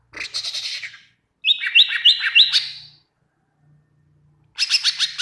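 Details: Greater green leafbird song used as training material to make other leafbirds answer: fast bursts of bright, high chattering notes, then a run of repeated rising whistled slurs, a pause, and another rapid chattering burst.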